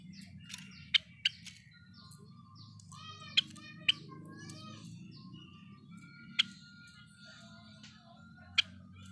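Java sparrow giving sharp, dry clicks mixed with high, tinkling, bell-like notes and brief buzzy trills, loosely spaced, over a faint low hum.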